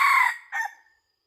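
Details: Red junglefowl, used as a decoy in hunting, giving the tail of a harsh crow, then a short hoarse second note that fades out.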